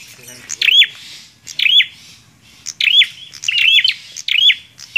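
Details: A bar-winged prinia sings persistently, each phrase a quick sharp tick followed by a looping whistled note, repeated in steady succession with little other sound.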